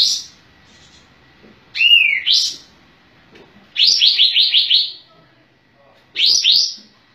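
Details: Sooty-headed bulbul, called kapas tembak, singing energetically with tail spread: short phrases of bright, bubbling notes, a falling whistled slur followed by a rapid run of six descending chirps, repeated after pauses.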